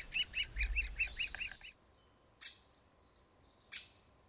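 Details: Woodpecker at the nest: a rapid run of about twelve buzzy, harmonic-rich notes over about 1.7 seconds, then two separate sharp, high calls after quiet pauses. Faint low rumble under the opening run.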